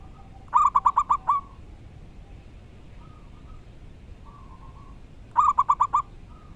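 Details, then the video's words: Local wild zebra dove in strong, loud voice: two quick bursts of about six clipped coos each, separated by a few soft, faint notes, over constant low hiss. "Burung perkutut lokal alam gacor dor suara keras & lantang."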